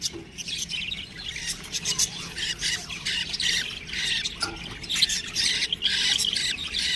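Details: Budgerigar chicks chirping: dense, harsh, high squawky chirps that overlap almost without pause, with rapid bursts rising and falling in loudness throughout.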